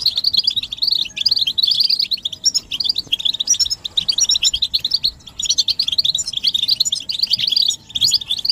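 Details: Several European goldfinches twitter energetically, a recording used to bring a silent male into song: quick jingling chirp-trills in phrases, with short lulls around five and eight seconds.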